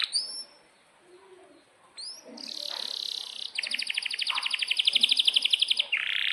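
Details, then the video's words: Canary in breeding condition with sharp chirps and a long rolled song, meant to coax silent or young canaries into singing. Two upswept chips lead into a buzzy trill, then a rapid pulsed roll that grows louder before a rich final buzz. "Kenari GACOR PANJANG INI Cocok untuk Masteran KENARI PAUD dan Kenari Macet BUNYI"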